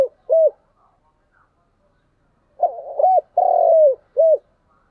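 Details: A spotted dove used as a decoy gives its morning calling coo to attract wild birds; one short coo opens, then after a quiet gap a full phrase of two hoots, a long falling coo and a short closing note.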